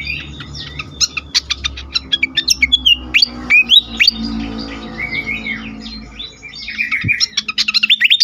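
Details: Fantail singing excitedly, intended to lure and stimulate birds: quick staccato chirps mixed with rising slurred whistles, a warbled stretch midway, then a rapid ticking series.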